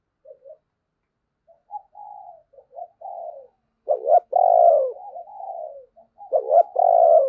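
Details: Decoy spotted dove with a thunderous voice calling in wild doves: soft scattered coos building to loud, rough two-part phrases, the last one cut short at the end.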